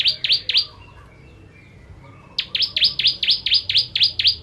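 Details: Bar-winged prinia, known in Indonesia as ciblek, singing a 'kristal tembakan pedas' tutor song: three sharp descending notes, a short pause, then a run of nine more in quick succession.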